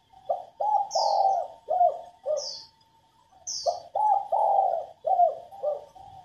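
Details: Female spotted dove cooing to stimulate males to sing: two phrases of low, hollow coos, each several short notes then a longer swelling note, separated by a pause; faint high chirps from another bird above, and a steady faint tone.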